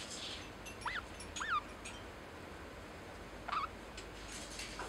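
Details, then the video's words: Pet lineolated parakeet saying "daisuki" (love you) to its owner: a few brief, warbling, rising-and-falling notes spaced over several seconds in a quiet room. "Life with Lineolated Parakeet 077 love you サザナミインコとの生活 だいすき"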